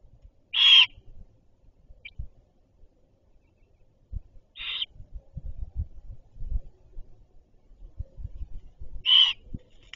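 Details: Great horned owl at the nest, mother bringing food: loud, short, hissing-rasp screeches spaced several seconds apart, with soft rustling and low bumps between them.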